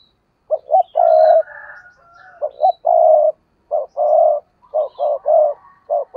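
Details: Spotted dove decoy giving fiery thúc gù cooing. Low coo phrases repeat almost continuously, five bursts in six seconds, each of short clipped notes and rolling coos, with softer background coos.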